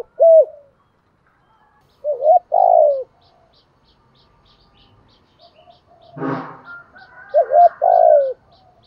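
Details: Spotted dove decoy birds, male and female, calling in the morning to lure wild doves: low mellow coos in three spaced phrases, each a short note then a longer falling one, with a brief rustling burst and faint high steady ticking.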